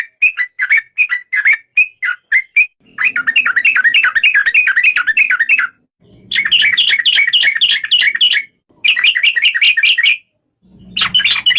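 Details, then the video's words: Yellow-vented bulbul singing in bursts of rapid, bubbly chirps around the mid-high range, grouped into phrases of several seconds split by short silences, with a faint low hum under some phrases. "Suara kicau burung trucuk"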